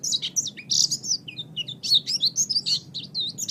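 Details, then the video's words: Oriental white-eye song recorded as training material for pet birds: energetic, varied high warbling with bright trills, slurred whistles and quick chattering notes packed tightly together. "MASTERAN GACOR - Suara Burung Pleci"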